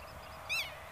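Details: A Black-tailed Godwit near Zoeterwoude, Netherlands, gives a single short, nasal, slightly arched call midway through, over a faint background hiss with a few thin, distant notes.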